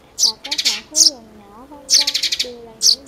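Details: Sparrow calls played as a lure for trapping birds with nets and glue: bright, high chirps in quick clustered bursts, separated by short gaps, over steady, wavering melodic tones from inserted background music.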